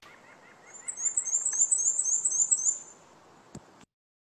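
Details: A Black-and-white Warbler song in spring in eastern North America: a very high, thin, squeaky two-note phrase repeated quickly about a dozen times, like a turning wheel; softer lower chips first, then a click at the end.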